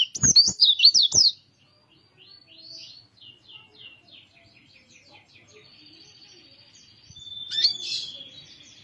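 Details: Kintamani, Bali dakun-type white-eye gives a loud burst of rapid twisting high notes at the start. Faint, soft trills and a thin sustained whistle follow, with a brief louder squeaky phrase near the end.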